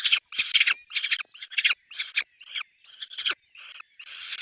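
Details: Peregrine falcon nest with chicks: continuous grating, raspy calls in quick, uneven bursts, some louder and broader, others softer and thinner, with scarcely any pause.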